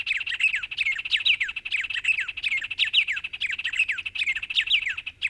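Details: Birds of the Brazilian Cerrado: a busy chorus of bright, high chirps and quick downward-sweeping whistles, repeated rapidly and overlapping.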